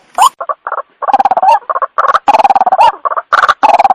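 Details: White-breasted waterhen night lure call: irregular bursts of rapid grating, chattering notes with short upward-twisting squawks, in uneven phrases separated by brief pauses.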